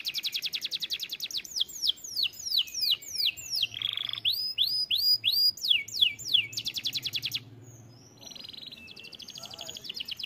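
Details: Canary song: fast rolling trills of high, curved whistled notes, a buzzy lower burst near the middle, then more rapid trilled phrases ending in a softer sustained passage.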